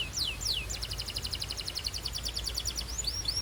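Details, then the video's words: Belgian canary warming up: a few falling whistled notes, then a fast pulsed trill, then rising slurs, over a steady low background hum. "This BELGIAN CANARY SINGS BEAUTIFULLY - Warms up quickly!"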